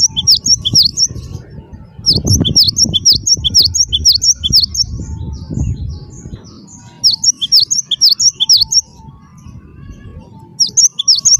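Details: Gelatik batu (cinereous tit), wingko type, singing hard to prompt other birds: bursts of quick, ringing two-note phrases, high then lower, separated by short pauses, over a low rumbling background.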